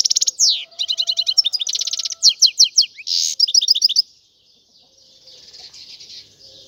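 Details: Excited, tinkling song of a European goldfinch: quick repeated twitters, buzzy trills and sharp descending notes for four seconds, fading into quiet background chirping.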